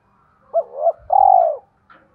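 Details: Decoy spotted dove singing to excite wild doves, thổ voice style: two quick rising-falling coos followed by one long vibrating coo that slowly drops in pitch.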